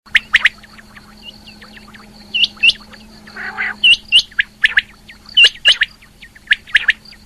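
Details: Female rain quail calling. Sharp chirps sit among clusters of quick, paired notes, with a brief gargling burst in the middle. A steady electrical hum and a thin high tone run throughout.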